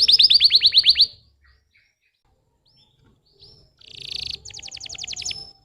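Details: Canary 'pancingan' song for stimulating young canaries that rarely sing: a one-second burst of quick falling notes, a near-silent pause with faint chips, then a buzzy blast and a crisp rapid trill.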